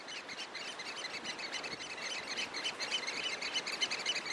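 African oystercatchers giving shrill, piping flight calls, about four sharp high notes a second, over a steady hiss of wind or surf.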